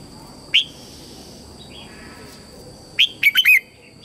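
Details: Red-whiskered bulbul lure bird singing to call wild bulbuls in to fight: one short bright note, a pause, then a quick burst of three or four loud warbled whistles over a faint steady background hum.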